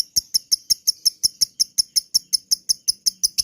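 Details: Lovebird calling as a lure to trigger chattering: sharp, high, ticking chips repeated evenly about three times a second, each with a faint low thump beneath.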